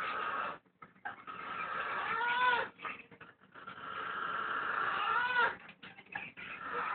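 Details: Captive blue-and-gold macaw asleep at night, producing hoarse, grating snores that run for a second or two, with faint wavering whistle-like tones inside each breath and short quiet gaps between.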